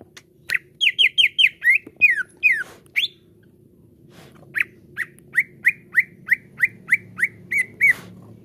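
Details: Greater green leafbird, known locally as cucak ijo, in a lure recording for caged birds: rapid descending whistles, a pause, then a regular series of short sharp rising-falling notes, roughly three per second.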